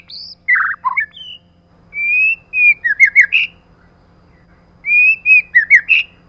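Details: A female white-rumped shama gives clear whistled phrases with quick rising and falling notes, a similar phrase returning about every three seconds; faint low hum beneath.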